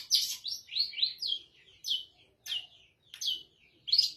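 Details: Caged long-tailed shrike with its cover opened, singing loosely spaced buzzy notes that slur downward, one cluster after another, with short silences of half a second or so between them.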